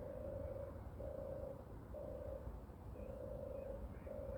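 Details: European turtle dove walking on the ground at 6:34 on 29 May 2023; five rhythmic, deep purring phrases of similar length, with short silences between, over low background rumble and a faint higher call.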